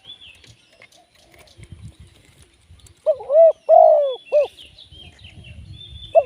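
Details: A spotted dove serving as a live trapping decoy coos loudly in a three-note phrase, short, long, short, after a quieter stretch of distant high twittering birds that continues beneath and after the call.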